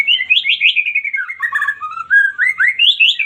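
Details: A white-rumped shama's song, used to trigger a quiet bird into singing back. It is a continuous flow of sweet whistled notes, dipping lower mid-phrase and climbing again into quick bright trills.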